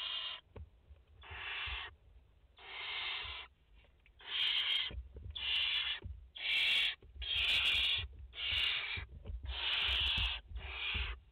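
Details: Barn owls at a nest in France, a mother with four chicks, live on 30 August 2021: harsh, breathy hissing screeches in about nine drawn-out bursts, each roughly half a second to a second long, separated by short pauses, with faint soft thumps underneath.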